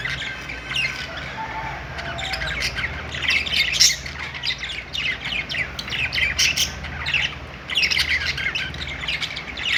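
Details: Group of budgerigars in a pet store, harsh squawks mixed with fast chirps and scratchy warbling, a busy overlapping chorus with short quieter gaps and a low steady hum behind.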